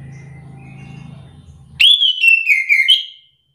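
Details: Orange-headed thrush singing a short, rich whistled warbling phrase with wavering middle-high notes. A steady low hum comes first, then the song breaks in and lasts about a second and a half.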